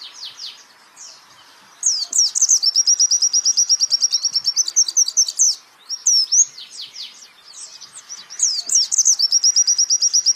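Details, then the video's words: Songbird training recording of a white-eye singing high, fast trills of repeated notes mixed with downward-sweeping chirps, in three bursts with softer twittering between them. "pleci Jawara Pake Masteran ini jamin Geter-GETER!!!!!"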